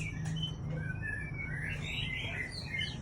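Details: Aceh white-rumped shama breeding hen delivering fluid, warbled whistled phrases that slide up and down, with a constant low mechanical hum in the background.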